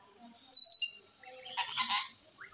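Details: Ringneck parrot kept as a talking pet bird, heard close: a high, steady whistle about half a second long, then a brief harsh, raspy burst of squawky sound.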